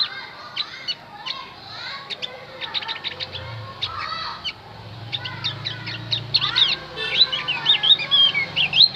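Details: Javan white-eye song used as a lure to draw replies from wild birds: rapid high chirps and twittering phrases, becoming louder warbled trills toward the end, over a low hum.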